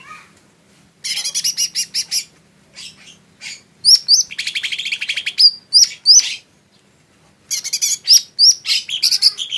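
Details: Song of a lesser green leafbird: clusters of rapid, buzzy chattering notes alternating with loud, sharply rising whistled notes, delivered in bursts with brief silences between them.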